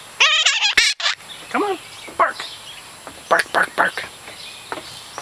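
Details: A pet Hahn's (red-shouldered) macaw, recorded 24 May 2007, gives harsh, raspy bark-like squawks and growls in quick bursts, imitating a dog, while a person repeatedly urges it to bark.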